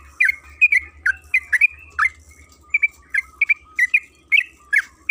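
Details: Trucukan kebo (yellow-vented bulbul) singing a lure meant to prompt other birds into long rapid 'ropel' song: a steady string of bright chirped notes and brief rolling phrases, roughly fifteen in five seconds, with a soft low hum beneath.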